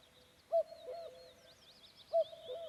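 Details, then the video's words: Common cuckoo calling on a May evening deep in the Vändra forests, Pärnu County, Estonia, in its slightly alternative style: two falling two-note cu-coo phrases, while small birds chirp and warble faintly in the background. "Kägu. Linnulaul."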